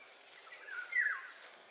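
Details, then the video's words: A single liquid, whistled phrase of Eurasian golden oriole song, gliding down at the end, with light background hiss. "Cantec de grangur - Eurasian Golden Oriole song"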